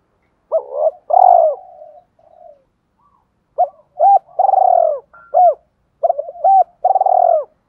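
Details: Spotted dove giving a fighting coo used to lure wild doves into calling back and approaching quickly; low hooting notes, some short and arched, others long and falling, in broken bursts with gaps of silence.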